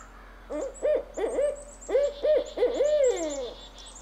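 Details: A barred owl gives courtship and territorial hooting, a run of rich, rolling hoots with several quick notes building to a long, drawn-out, downslurred final hoot.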